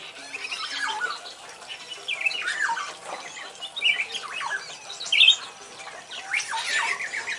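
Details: Pair of wild-caught Black-naped Orioles kept in a semi-natural aviary, now singing actively after about three months; scattered whistled and squawky notes rise and fall at mid-high pitch, irregular, over a busy background of other birds.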